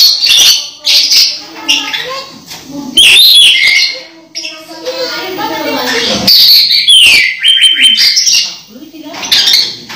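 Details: Orange-headed thrush kept in a cage, nearing its moult but still in full voice, gives jumbled sharp whistles and scratchy bursts mixed with quick mimicked notes and pauses.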